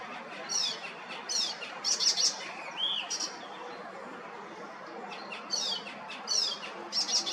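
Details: Icterine warbler singing in a tree in Hrodna city, western Belarus, on 7 June: bursts of high, chattering and squeaky notes, grouped in short phrases about once a second, with a brief slurred whistle in between.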